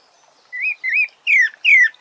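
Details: Sabiá thrush song of four whistled phrases: two short upslurred notes followed by two longer falling slurs, each separated by brief silences, clean and clear against a quiet background.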